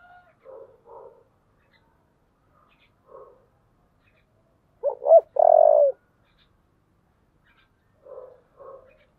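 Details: Spotted dove singing in the giọng thổ style, stirred up for fighting. Soft, faint double coos repeat through the clip around one loud phrase of two quick notes and a drawn-out hoarse coo.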